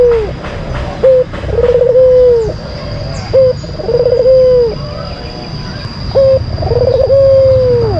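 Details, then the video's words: Lure song of a white collared dove kept as a cage bird in Indonesia: three long cooing phrases, each a short rising note then a stuttered, drawn-out, falling coo, repeated about every two and a half seconds; a steady high electronic tone runs underneath. "Pancingan Puter Putih Terampuh , Full Gacor"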